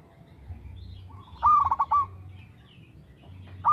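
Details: Zebra dove of a local strain cooing; one low trilled, rolling coo, then the start of the next after a pause.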